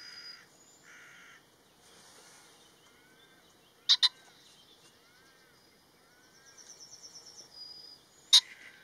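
A male pheasant gives a loud, harsh double crow, then a single explosive note a few seconds later, over softer songbird chatter and whistles.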